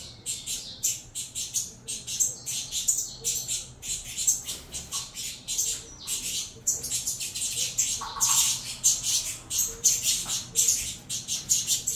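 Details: Saffron finch nestlings from a Venezuelan cross clamouring as they are fed, giving rapid, raspy high squeaks in quick bursts, with a few lower chirps mixed in near the end.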